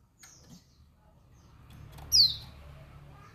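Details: Female white-eye, dakun Bali type, giving a call meant to provoke male white-eyes. After faint scratchy sounds, one loud, piercing, downward-slurred high note rings out over soft low background noise.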